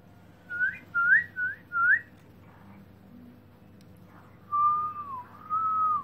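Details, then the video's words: Black-throated laughingthrush melodious song: four quick upslurred whistled notes, a pause, then a long clear level whistle that dips and rises again, over a steady low hum. "Black-throated laughingthrush(Garrulax chinensis): Open-tail And Song Melodious Sound"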